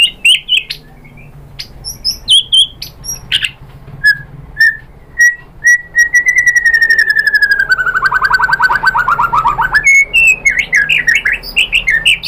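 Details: Provocation song of a white-rumped shama, meant to set other shamas singing and showing off mimicked material: scattered sharp whistles, a steady series of short clear notes, then a long falling rattling trill and a burst of varied chirps.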